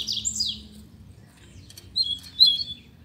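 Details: Captive Double-collared Seedeater (coleiro) whose owner says its song performance is improving with good management: a high, sweet, slurred falling phrase, then after a pause a few bright chattering whistles, over a faint low hum.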